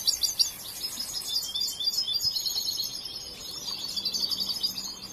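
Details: European goldfinch, a young bird still learning, singing a continuous thin high twittering with buzzy trills, fairly quiet against a faint hiss.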